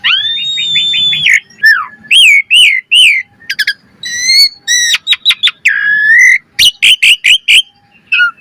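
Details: Asian pied starling (jalak suren) in a lively, varied 'gacor' song used as a lure for training birds: a long level whistle, then a run of repeated rising chirps, sharp clicks and bent whistled notes, with pauses between bursts.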